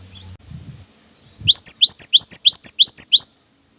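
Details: A few faint low thumps, then a gacor cinereous tit gives about eight quick rising 'wucit' whistles. The long song is used to prompt young, stalled or molting tits to sing again.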